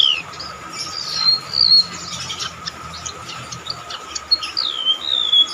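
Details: Golden-bellied gerygone in shrill song: high, thin, slurred whistles come in short downward-sweeping phrases separated by brief gaps, with a steady tonal hum underneath.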